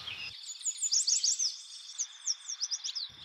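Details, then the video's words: Yellow Warbler song, one of four recorded in different US states whose songs sound similar: a quick, bright run of high, sweet, slurred notes lasting about three seconds, over a steady high insect-like hum. "I filmed these four yellow warblers in different states and their songs sound pretty similar."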